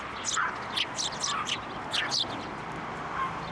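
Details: Sparrows arriving on a hand to be fed, Tenmangu shrine, 15 January 2024; a close run of sharp twittering chirps, about a dozen notes in three seconds, then fading.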